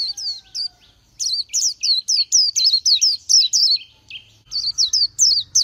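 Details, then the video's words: Oriental white-eye singing rapid, high twittering phrases of sweet, wavering notes, about three or four per second, in bursts with brief pauses; background is quiet. "Chim hót hay Vành Khuyên họng vàng đông dương"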